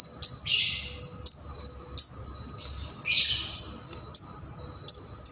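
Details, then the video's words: Bar-winged prinia singing actively, used for training songbirds: a fast run of high, sharp whistled notes, each dropping slightly, about two per second, broken by two harsher buzzy bursts. "Kemade Keres Gacor cocok untuk Pancingan dan Masteran Burung Kicau Mania"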